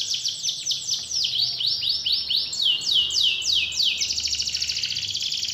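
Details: Singing canary used to stimulate a lazy canary to sing again; a series of descending swept whistles, about three per second, ending in a fine rapid trill.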